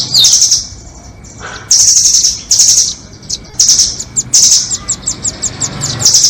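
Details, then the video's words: Rambatan nuthatches, doraemon and red-billed types, in a trapping lure: very high buzzy trills repeated with pauses, then a run of fast staccato chips and a final trill. "Pikat burung rambatan doraemon vs paruh merah"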